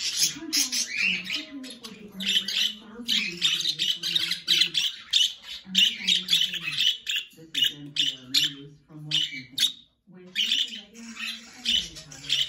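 A young budgerigar gives rapid, scratchy squawks and chirps over a person talking softly.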